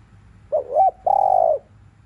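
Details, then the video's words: Spotted dove cooing in the afternoon in the 'thúc liu riu' style. Two short, quick, wavering notes lead into a long, steady, mellow coo that falls slightly at the end. A low hum sits underneath. "CU GÁY THÚC LIU RIU KÍCH BỔI BUỔI CHIỀU"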